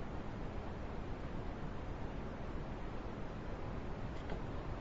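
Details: A continuous broadband hiss with low rumble, like wind or distant traffic, and nothing standing out.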